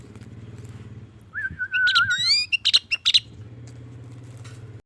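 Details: Sooty-headed bulbul in strong breeding condition: a long, wavering whistled note followed by a quick run of higher chirps and sweeps. A steady engine hum runs throughout.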